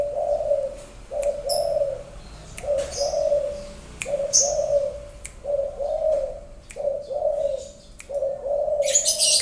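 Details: Favoured spotted dove repeating low, wavering coo phrases roughly every second and a half, each with a short introductory note, with occasional sharp high chirps from other birds.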